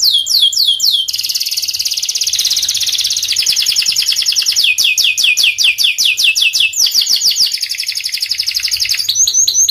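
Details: Lively panda canary song of continuous rapid trills built from downward-sweeping whistled notes. Sections change speed and pitch every couple of seconds without pause.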